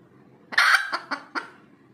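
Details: Single loud, rasping squawk from a red junglefowl after laying an egg, followed by three short clucks that fade, over a faint low hum.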